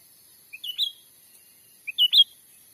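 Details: Cucak ranting trapping lure from a Sumatran forest: the same quick three-note whistled phrase given twice, about 1.4 seconds apart, each starting with a soft low note and ending on a bright, higher one.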